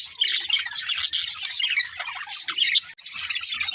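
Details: Budgerigars chirp happily at play: a short burst of dense, high twittering and scratchy warbles, briefly dropping off near the end before resuming.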